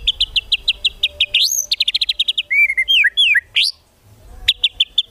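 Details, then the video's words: White-rumped shama training song filled with 'tembakan' bursts for competition birds: an evenly pulsed chip series, a soaring whistle, another rapid trill, then a set of swooping slurred whistles, ending in a fresh run of fast repeated chips after a brief gap. "MASTERAN MURAI BATU FULL ISIAN TEMBAKAN MEWAH UNTUK MURAI BATU LOMBA"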